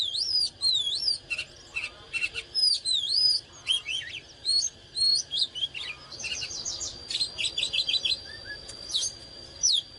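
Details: Oriental magpie-robin singing fired-up while displaying: a dense flow of melodious looping whistles, upslurs and fast trilled rattles with barely a pause, over a steady high whine.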